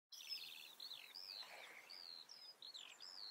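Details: Common redstart singing in the Eifel, Germany: quiet high phrase opening with a rapid trill, then scattered whistled slurs and short notes against a faint rural background.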